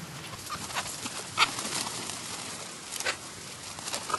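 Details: Several harsh, short squawks from black-headed gulls in the New Forest, Hampshire, England, in July 2009, spaced irregularly with the sharpest cry early on, set against a noisy, breezy outdoor background.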